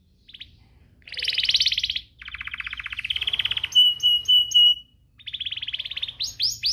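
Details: Canary song played to set off other canaries singing: harsh buzzy rattles and pulsed trills alternating with short clear whistled notes, closing with quick rising sweeps.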